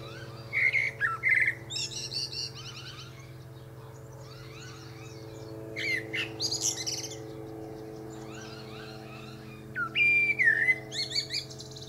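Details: Common blackbird, a male, singing from the top of a pear tree. Mellow whistled phrases with scratchy high twitters come every few seconds, over a steady low drone.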